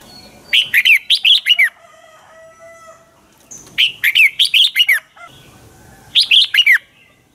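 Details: Lure-bird red-whiskered bulbul in dueling song produces three bursts of rapid, loud warbling, about five to six notes each, with faint whistles and light background noise in the gaps.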